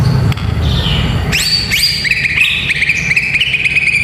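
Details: White-rumped shama singing, a recording meant to train young fighting males: a falling whistle, then sharp upward-sweeping notes and a series of short bouncing whistles at one pitch, with a low rumble beneath.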